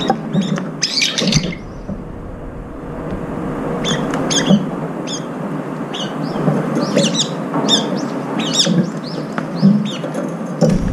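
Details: Group of brown-eared bulbuls feeding, contending for food; loud, bending high squeals open the recording, then irregular chirps continue over a steady background drone.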